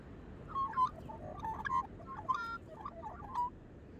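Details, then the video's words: Magpies sing loose, scratchy warbling with scattered whistled notes and brief harsh bursts, irregular in rhythm, over faint background noise. "Singing Magpies."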